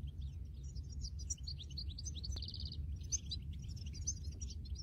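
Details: Wild European goldfinch singing in nature: a fast, high tinkling twitter of varied chirps running throughout, broken midway by a short buzzy trill of rapidly repeated notes, over a steady low background rumble.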